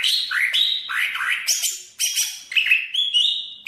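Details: Cucak ijo (greater green leafbird) from Banyuwangi, song variation one: a lively run of whistled phrases, dropping slurs and rising notes, broken up by high scratchy chirps and ending in a long, even whistle.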